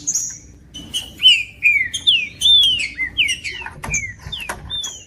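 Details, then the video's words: Song of a Green-winged saltator meant to warm up a silent cold bird; loud, clear falling whistles repeated in a lively series, some higher thin notes, with occasional sharp clicks between phrases. "MELHOR VÍDEO PARA ESQUENTAR TRINCA FERRO COM TRINCA FERRO CANTANDO"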